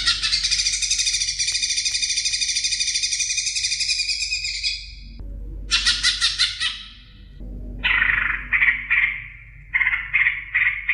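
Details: Greater green leafbird song used as tutor audio for songbirds: a long, dense, rapid high trill of about five seconds, then a short burst of the same, then lower warbled phrases repeated in quick clusters.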